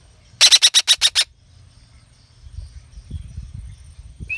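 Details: Captive juvenile red-breasted parakeet gives seven rapid, harsh, buzzy squawks in about a second, followed by low rumbling background noise and a faint whistled note at the end.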